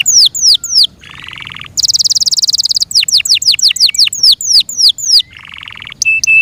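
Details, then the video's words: Song of a Yorkshire canary kept as a pet: descending whistled slurs broken by a lower buzzy rattle, a bright high trill, then more sweeping notes and another rattle. "THE BEAUTIFUL SOUND OF FI YORKSHIRE CANARIES"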